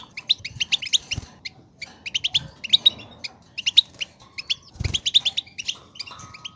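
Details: European goldfinch singing to encourage a goldfinch to sing, short bursts of sparkling chirps and trills separated by brief gaps, with occasional low thumps.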